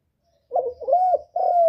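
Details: Spotted dove coo used to excite other birds: a brief, wavering coo, a rising and falling mid-pitched note, then a steady sustained coo cut off at the end. Quiet background.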